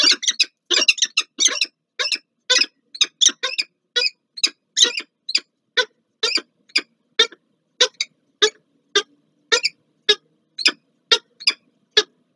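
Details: Peregrine falcon pair meeting at the Palace of Culture and Science, Warsaw, Poland, on 30 August 2024: a long run of harsh, rasping, high calls, quick and crowded at first, then spaced about every half second.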